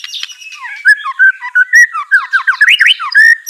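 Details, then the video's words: White-rumped shama song used to prompt a reluctant caged bird into answering and singing: fast, varied phrase of slurred whistles, some rising and some falling, with loud notes packed several per second and a few higher squeaky notes. "Murai Batu Malas BUNYI Pasti LANGSUNG NYAUT NARUNG dan GACOR"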